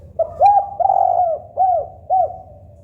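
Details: Spotted dove song played to make doves call quickly: a short phrase of low hooting coos, one longer note then two spaced shorter ones, with low background hum.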